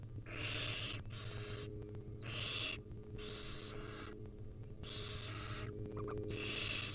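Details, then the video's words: Wild barn owl nestlings begging while their mother feeds them tiny pieces: repeated loud, rasping hiss-screeches, often in closely paired bursts, filling most of the recording above a low hum. "Hungry baby barn owl nestling get fed tiny bits by their Mom."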